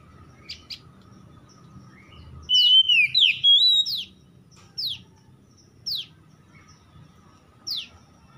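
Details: Oriental magpie-robin lure song from the morning-dew style, played to restore stressed birds' singing: a brief burst of looping whistles, followed by sharp, downward-sweeping single notes repeated about once a second over a soft low hum.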